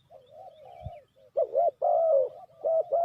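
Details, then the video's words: Spotted dove calling, a sound used as a lure for trapping: low, mellow coos, first a soft drawn-out note, then loud rounded double coos in quick succession, with a brief thump near the start. "Sound Of Spotted Dove is so good"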